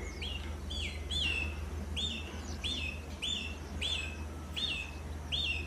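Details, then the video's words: Canary repeating a clear whistled note that drops in pitch, about once every 0.6 seconds, each with a sharp click at its start, over a low hum. "Canary Singing"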